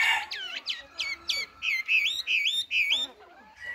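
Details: Chinese hwamei kept as a cage bird, untrained, repeats clear looping whistled notes about every third of a second, then a falling slurred phrase and a softer whistle.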